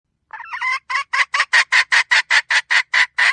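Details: Female red junglefowl calling, used as a decoy to lure wild junglefowl: a rapid run of harsh, buzzy, evenly spaced notes, about six per second, after a short rough opening phrase.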